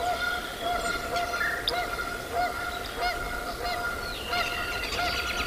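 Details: Bald eagles at the North Nest in Decorah, Iowa, 09.04.2024; thin, high, arched chirps come in an irregular series over a steady electrical hum and background hiss.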